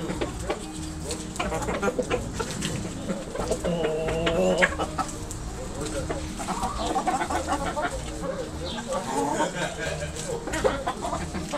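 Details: Backyard chickens, roosters and hens, pecking and scratching while calling; a busy stream of nasal clucks and wavering croons from several birds over a low background hum.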